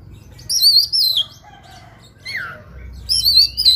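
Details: Fighting oriental magpie-robin (kacer) in heated, varied song rich in fills: high wavering whistled phrases, a soft lower whistle, a falling slurred note, then renewed high warbling.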